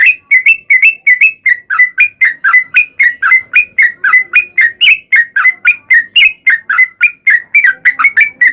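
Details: Sooty-headed bulbul in long rapid-fire 'ropel panjang' style, used as a lure to make other bulbuls sing: a continuous stream of short, bright, bubbly notes dipping and rising, about three per second, with no other sounds.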